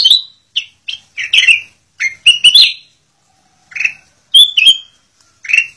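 A black-crested bulbul gives a series of short, bubbly, warbled notes in quick bursts, some slurred and fluty, with brief pauses between phrases.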